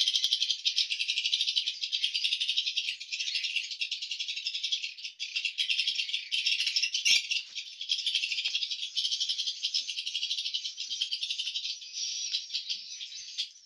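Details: A dense flock of swiftlets in the breeding room of a swiftlet house fills the air with fast, dry rattling clicks and high twitters, a nearly unbroken buzzing chorus with one sharp knock.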